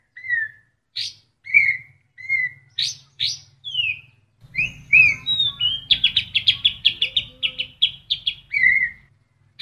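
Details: Murai batu (white-rumped shama) song packed with kapas tembak fill-ins: separate clear whistles and sharp high notes, then a fast run of about a dozen loud, even, high chips ending in a falling whistle, with a low hum beneath.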